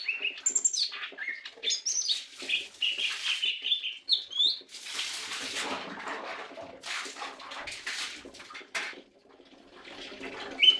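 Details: Lesser green leafbird singing: varied whistled phrases high in pitch, short slurred notes and sweeping warbles, broken by bursts of broadband rustling noise.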